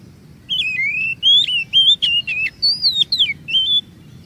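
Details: Oriental magpie-robin song used as a lure so others sing long and vary their notes; a steady run of wavering whistled notes, each slurred up or down, with clicks between, lasting about three seconds.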